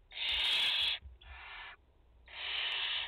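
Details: Barn owls at the nest in France, a mother and four chicks, 30 August 2021: three rasping, hissing screeches, the first and last loud and long, the middle one softer and shorter.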